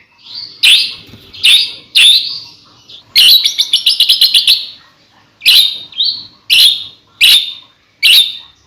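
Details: White-rumped shama (murai batu) song for prompting other shamas to sing: short loud explosive whistled notes about every half second, broken by a fast buzzy rattle, clean background.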